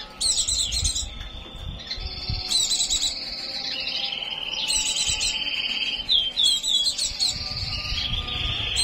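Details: White-eye in breeding condition singing continuously: sustained high buzzy trills alternating with sharp chattering bursts and a few quick slurred notes, over faint low rumbling background noise.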